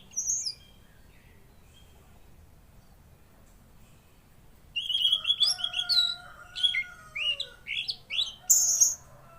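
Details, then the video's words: After a lone high note and a long quiet gap, a mangrove blue flycatcher (tledekan laut) launches a lively, varied warble of high, rapid whistles and slurred notes over a faint lower steady tone. "Masteran Burung Tledekan Laut Gacor"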